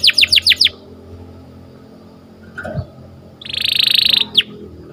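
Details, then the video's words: Morning canary song in short bursts: four quick downslurred notes, a pause with faint low rustling, then a bright rapid trill ending in a sharp slurred note. "Suaranya Merdu Dan Lincah Nyanyian Burung Kenari Dipagi Hari"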